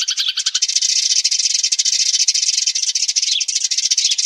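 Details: Sparrows giving a flock call, offered as a lure for trapping: a dense, unbroken chatter of high, overlapping chirps from many birds, with a fast buzzy texture and no pauses.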